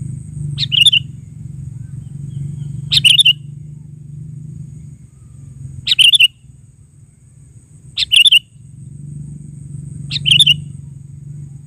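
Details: Sooty-headed bulbul sounding a brief bubbly phrase of chirps about every two and a half seconds, five times, over a steady low engine-like drone.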